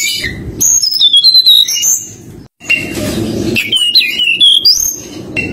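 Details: Rival-calling nyuling song of a forktail (tledekan gunung): sweet sliding whistles in two bursts broken by a brief silence, accompanied by low background music.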